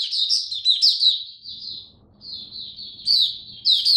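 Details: Kept oriental white-eye singing on a diet adjusted for cold rainy weather, 8 October 2022: high, rapid twittered phrases of squeaky chirps, a brief pause near two seconds, then renewed bursts; faint low indoor hum beneath.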